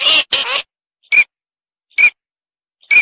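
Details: Eurasian teal: two harsh, rasping nasal calls back to back, then three short piping whistles spaced almost a second apart against silence.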